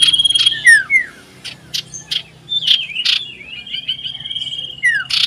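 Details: Common iora singing loudly and persistently to find a rival, December 2022: rapid string of slurred whistles and chirps, punctuated by short broadband bursts, with one long steady high tone in the middle.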